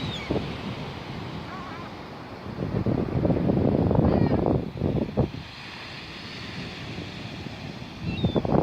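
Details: Seagulls at the beach giving a few short calls, some slurred downward, scattered among steady crashing surf and wind; the surf rises and falls in loud bursts throughout.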